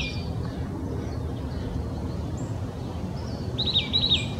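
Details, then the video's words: Oak titmouse, Old Torrance, Los Angeles County, California, January 21, 2020: after several seconds of low rumbling background noise and faint chirps, one short phrase of repeated high whistled notes arrives near the end. "Oak Titmouse Song"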